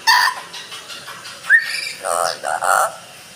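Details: An Amazon parrot indoors recites the Islamic kalima, 'La ilaha illallah…', in a short phrase of hoarse, word-like syllables with a quick rising whistle in the middle.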